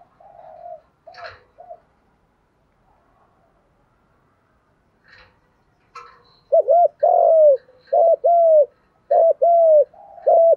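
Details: Male and female spotted doves cooing thúc gù and gù đấu to stir birds for training; soft scattered coos, a quiet pause, then four loud paired phrases of a short note and a longer coo.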